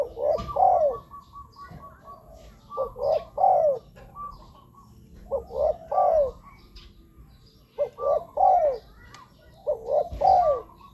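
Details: Spotted dove cooing, a recording offered for listening or luring wild doves to ground, branch or trap-cage decoys; low hollow coo phrases, each a short note then a longer falling coo, repeated in bursts about every two to three seconds over faint background hiss.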